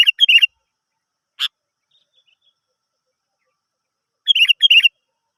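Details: Sooty-headed bulbul song meant to prompt other birds to sing: bubbly whistled phrases open and close the passage, with a single sharp note in between.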